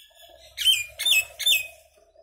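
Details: Three loud, evenly spaced squawking notes from a common myna, each falling sharply in pitch, over a faint low background hum.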